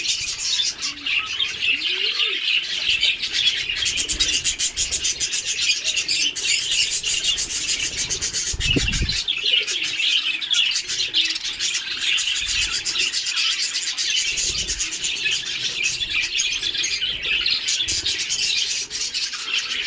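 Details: Budgerigars in an owner's natural aviary of Australian budgies keep up a dense, high twittering chatter, with fast warbled chirps overlapping throughout.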